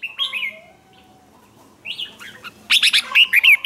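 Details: Red-whiskered bulbul contest song aimed at stirring young newly caught birds to sing; a soft opening phrase, a pause, then a loud burst of rapid sweeping chirps.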